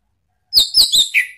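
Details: Short ngeplong lure phrase from an orange-headed thrush, used to make a pet bird answer: three high bright whistled notes slurring downward, then a lower fourth note.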